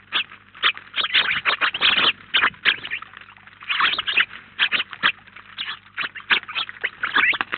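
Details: At a Collado Villalba feeder, a crowd of house sparrows, up to 19 at a time, keeps up busy overlapping chirps, rapid clipped notes packed closely, loudest near the second and fourth seconds.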